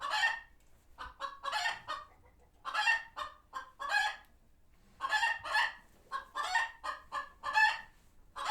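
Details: Chickens at a farm sanctuary calling after a hawk was seen nearby; clusters of sharp nasal squawks and clucks in uneven bursts with short quiet gaps.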